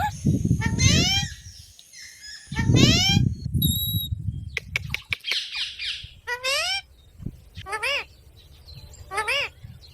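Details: Loud, repeated parrot squawks in downward-sweeping harmonic bursts, several in quick series with gaps between, over a steady low background rumble and brief speech.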